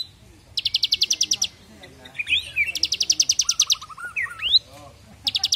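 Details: Fairly active bar-winged prinia giving rapid-fire 'AK47' bursts, recorded for training other birds. Long trains of very fast, high, even notes, with interjected upswept whistles and a lower descending chatter in between.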